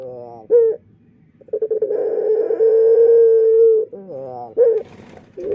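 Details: Dove in Indonesia with an unusual voice, unlike other doves; a long steady drawn-out coo lasting over two seconds, framed by shorter wavering coos before and after.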